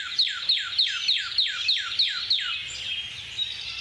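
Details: A male Northern Cardinal sings a fast run of eight clear, downslurred 'cheer' whistles, about three per second, sliding from high to lower pitch, then fading into soft background hiss.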